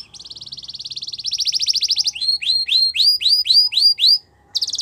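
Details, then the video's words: Belgian canary delivering a long pulsed trill that quickens and grows louder, then a run of upslurred whistles, a pause and a final trill. "Belgian Canary Singing"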